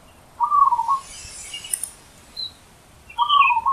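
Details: Zebra dove singing loudly in the wild: two short, rapid trilled cooing phrases, an early one and a late one separated by a pause. Faint higher chirps from other birds fill the gap.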